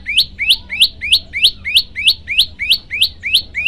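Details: Olive-backed tailorbird song used as a master recording for training birds: a steady series of sharp rising upslurred chirps, each tipped with a high tick, repeated about three times per second with even rhythm; faint low background hum.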